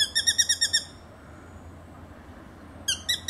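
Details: A spangled drongo, mimicking a number of other birds' calls, gives a quick run of about seven harsh, metallic, ringing notes, falls silent, then starts another burst over a faint low hum.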